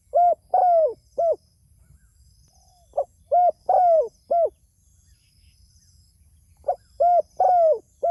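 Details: Spotted dove persistently calling its companions: three evenly spaced four-note cooing phrases roughly every three and a half seconds. Each has a brief opening note, a steady coo, a long sliding coo and a short ending coo, all low and soft.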